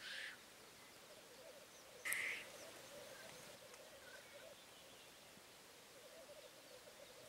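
Black grouse give a soft, continuous low bubbling that runs throughout, broken once by a brief harsh hissing burst.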